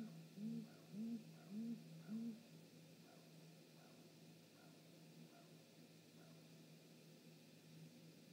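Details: Great grey owl pair, mother and father, visiting their nest, recorded by a live nest camera on 19 March 2018: four deep, soft hoots about half a second apart, then quiet with a steady low hum.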